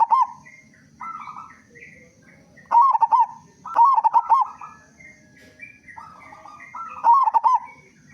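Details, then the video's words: Loud-voiced local zebra dove in full song, recorded as a lure so other zebra doves start singing sooner; softer level cooing phrases lead into three strong bursts of quick stuttering coos, with a low background rumble throughout. "Perkutut Lokal Gacor Suara Besar Pancingan Burung Perkutut Agar Cepat Bunyi"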